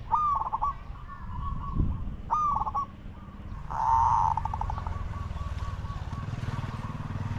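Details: Spotted dove used as a decoy to lure wild doves: repeated rolling, burry coos with harmonics, one louder trilled phrase in the middle, over a steady low rumbling background.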